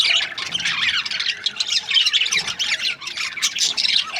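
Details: Budgerigar breeding pairs chirp and squawk nonstop, a thick layer of shrill, scratchy notes with a few clear whistled squeaks poking through.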